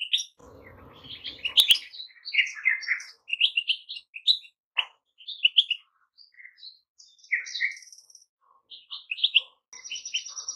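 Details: Goldfinch song of quick liquid twitters and short chirps in broken phrases, with a low rustling noise at the start and a high buzzy note at the close.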